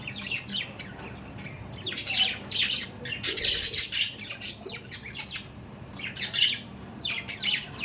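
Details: Pet budgerigars indoors giving bursts of harsh, scratchy squawks and chirps, loudest around the middle, with quieter buzzy chatter between bursts.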